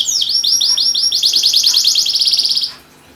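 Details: Canary singing, used to encourage quiet canaries to sing: swooping descending notes speeding into a bright, rapid even trill that ends suddenly.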